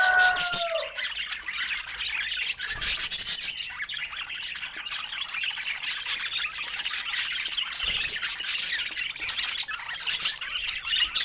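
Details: A group of budgies, popular pet parrots, opens with a clear falling whistle, then keeps up a busy, unbroken stream of high chattering chirps and squeaks.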